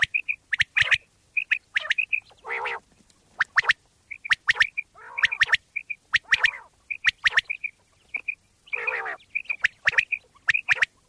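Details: Pakistani common quail, or bater, in a hunting-lure recording: brief whistled notes in twos and threes about once a second, between dry clicks and several hoarse, nasal, buzzy bursts.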